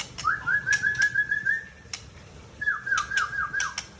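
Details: Mature male white-rumped shama from Tangse, Aceh, giving fast repeated whistled notes in two bursts, with sharp clicks between them.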